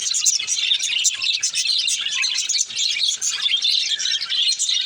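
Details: Budgerigar chick warbling: a rapid, dense mix of sharp tweets and squeaky trills, stopping only for brief dips.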